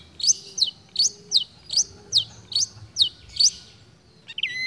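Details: Mimicking long-tailed shrike in steady song: a high slurred whistle repeated about twice per second, eight times, ending in a short lower whistled phrase.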